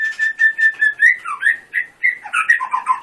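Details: White-rumped shama in full 'tembakan' rapid-fire song style, billed as a songbird-contest winner: a run of even whistled notes about five per second, then a rising flourish and varied lower slurred phrases.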